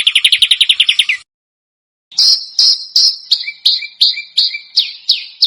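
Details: Songbird call on a contest-bird training recording: a fast, buzzy trill of repeated notes, then a pause, then a series of loud, high, falling chips with harsh, scratchy edges.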